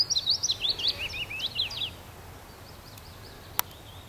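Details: Willow warbler song: a sweet, descending cascade of about a dozen slurred whistled notes over two seconds, dropping steadily from high to lower pitch, then faint distant bird notes and a single sharp click.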